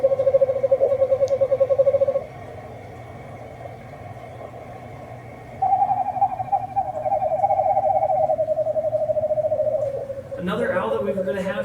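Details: Eastern Screech-Owl of Iowa, a small grey owl, gives a brief, even, quavering trill, then a longer trill that slides gently downward like a soft whinny; a short rustling noise ends it.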